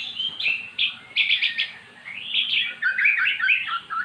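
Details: Once-silent magpie-robin singing after being lured with recorded song: high, bright twittering phrases in quick bursts, fast trills and chattering notes, against a soft background murmur.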